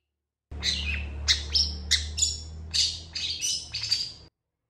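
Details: {'caption': 'Long-tailed shrike singing with long bursts and high emotion, responding to another shrike: quick, scratchy chirps and thin whistles in an uneven stream, roughly one or two per second, over low hum.'}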